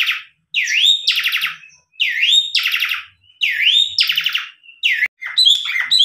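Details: Tame Asian pied starling singing as a lure for other starlings: bursts of a swooping up-slurred whistle each followed by a harsh, grating buzzy note, repeated roughly every one and a half seconds with short pauses.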